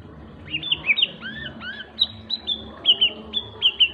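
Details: Seven-month-old white-rumped shama twittering ngriwik song: short high chirps and upslurred whistles, some paired, scattered irregularly over four seconds against a faint low background hum.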